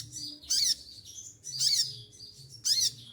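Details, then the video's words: Moulting olive-backed sunbird, feathers falling out, still singing: three shrill high bursts about a second apart, each a dense buzzy chip over a lower curling note, faint hum in the background. "konin lagi mabung bulu rontok semua tetap gacor"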